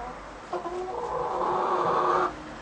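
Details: Rooster crowing: a single drawn-out harmonic crow lasting close to two seconds, starting with a short accented note and holding steady with a slight rise before ending abruptly, fairly soft against a quiet background.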